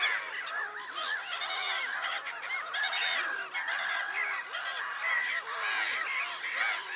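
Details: Black-headed gulls on Lake Sarymsak, Pavlodar region, Kazakhstan, on 10 April 2011 keep up a busy, unbroken din of grating arched cries from numerous birds, with occasional thin higher squeals mixed in.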